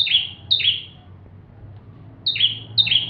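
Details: Full song of a bar-winged prinia intended for training white-rumped shamas. There are two pairs of bright chip-and-buzz notes separated by about a second and a half of quiet.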